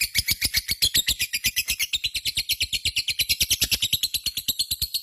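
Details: Lovebird in long, unbroken ngekek, a loud, rhythmic, shrill rattle of harsh notes repeated rapidly and evenly for the whole stretch.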